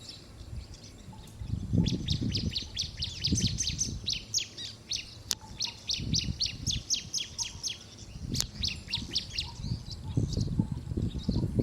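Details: Bar-winged prinia giving rapid runs of sharp, high chirps, each burst lasting about a second and a half and repeated several times, over low rumbling background noise.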